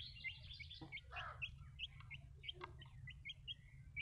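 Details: Baby chicks cheeping, short high rising peeps scattered through the clip, with a brief rustle early on and a constant low hum underneath.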